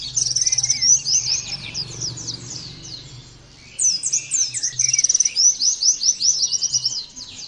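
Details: Oriental white-eye song used to spur birds into "nembak" singing. Two long bursts of rapid, high-pitched, slurred chirps are separated by a quiet gap of about a second, with a steady low hum in the background.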